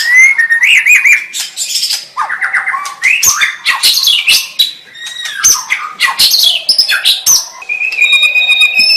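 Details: White-rumped shama in full song: fast, loud, varied phrases of sweeping whistles, harsh chatters and sharp notes, ending on a steady high pure tone.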